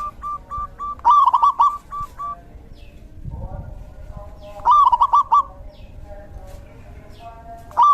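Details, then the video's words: Rainy-season zebra dove song, two loud rolling bursts of quick, warbling coo notes about three and a half seconds apart, with quieter repeated coos from other doves and faint low rumble in the background. "Suara Terapi perkutut/Merbuk di Musim Hujan!!!"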